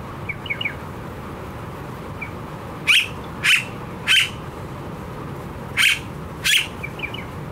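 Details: Blue-faced honeyeater in Australia, a very noisy, vocal bird, gives five harsh, buzzy calls in spaced pairs and singles over a few seconds, with faint thin chirps before and after.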